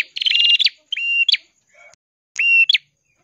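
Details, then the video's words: Ashy tailorbird song meant for tutoring songbirds: a buzzy rattling phrase, then two pure flat whistles each ending in a sharp upward flick, with a faint low note between them. "burung prenjak kelawu gacor suara kristal cocok untuk masteran❗prenjak kepala merah❗"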